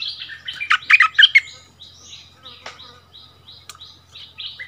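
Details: Bulbul in a territorial song contest with a resident bird at its former home ground, February 2021; a burst of loud warbled whistles opens, followed by softer, scattered chirps and thin high notes.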